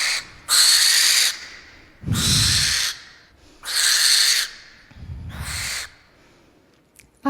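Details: A barn owl gives four harsh, hissing screeches, each about a second long, with short pauses between.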